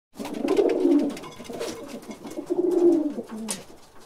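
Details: Caged pigeons cooing indoors: overlapping low, throaty, rolling coos swelling and fading across the clip, with faint rustling in the background.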